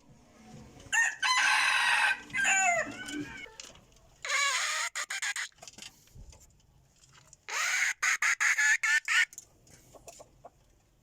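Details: Decoy rooster, said to crow very well, gives loud harmonic crows in three bursts, the later bursts broken into quick staccato pulses, over a steady background hiss.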